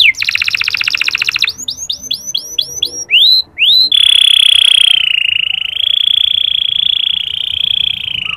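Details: Local canary training song for stimulating male canaries: a fast buzzy rattle, a run of short rising chirps, then one long steady high whistled note held for several seconds.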